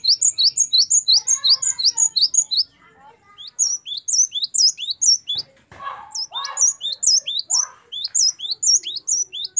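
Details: Gelatik batu, or great tit, in wucit variasi song for training caged birds: quick repeated high two-note phrases, a brief break with lower chirps and a soft voice-like sound, then the piercing phrases resume more irregularly.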